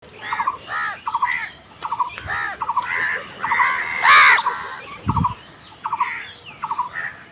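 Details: Crows fighting over food, giving harsh, raspy squawks and short clipped notes in quick bursts, with several birds calling over one another in a noisy, overlapping scramble.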